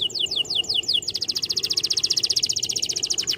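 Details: Male canary singing, used to train young canaries to sing readily: a run of descending whistled notes, then a fast, even buzzy trill of rapid repeated syllables.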